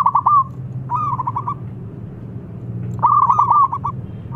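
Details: Lure song of a local zebra dove meant to get mute doves singing: short rolling trills that open with a rising note, a quieter gap, then a longer rapid pulsed phrase, over a steady low rumble.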